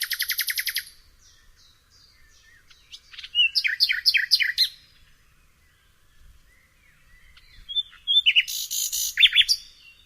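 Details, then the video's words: Nightingale singing in separate phrases: a fast, rhythmic chatter of repeated notes, then a pulsed trill, a few scattered high whistles, and finally a loud buzzy burst with bright whistled notes, with quiet gaps between phrases. "SOOTHING SOUND OF THE Nightingale"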